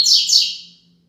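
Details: Double-collared seedeater singing the Tui Tui Zel Zel Top style of Braddock song, used as a tutor song for teaching young birds: two quick high, slurred notes sweeping downward, then fading out, with a faint low hum beneath.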